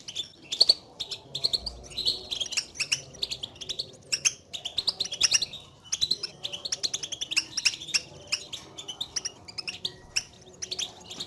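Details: Sustained European goldfinch contact calling (betbeta) meant to excite a lone caged goldfinch into singing: a dense, continuous stream of sharp, high twittering chirps, tightly packed and lively throughout.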